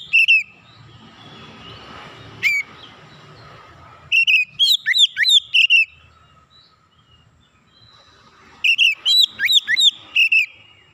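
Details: Oriental magpie-robin calling, a therapy-style recording: bursts of loud whistled notes near the upper-middle range, many sharply rising and falling, given in rapid clusters around 4 and 9 seconds with quiet pauses and faint background hiss between.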